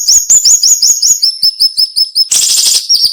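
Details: Siri-siri or cinnamon-bellied flowerpecker in dense, sharp song: steady rapid trains of high, slurred chirps, roughly 162 a minute, then a loud harsh rasping burst before the thin chirping resumes.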